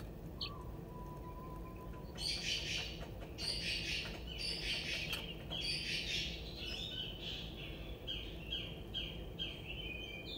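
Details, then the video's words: Crested wood partridge chicks, one 22 days old and two 11 days old, captive at the Saint Louis Zoo with their parents, scratching for bugs and seeds; bright high chirps in quick irregular bursts after a brief low whistle. "Crested Wood Partridge Chicks at the Saint Louis Zoo"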